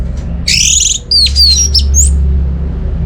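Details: Song of an orange-headed thrush meant to lure silent birds at home into singing: a rough buzzy burst, then bright whistled downslurred notes and a rising whistle, over a steady low hum.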